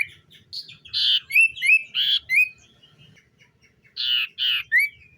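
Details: Common iora singing in the morning: buzzy, broadband chirps mixed with quick rising whistled notes, delivered in two bursts separated by a short pause, over a faint low background hum.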